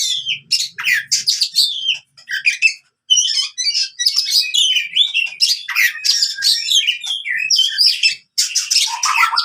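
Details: Oriental magpie-robin fighting song for restoring song in silent birds: fast run of chattering and scratchy notes with short whistles, nearly unbroken, ending in lower sliding whistles.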